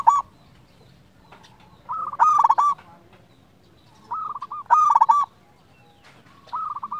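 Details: Local zebra dove singing. A soft coo phrase leads into a loud run of rapid, bubbling coo notes, and the pattern repeats about every two and a half seconds.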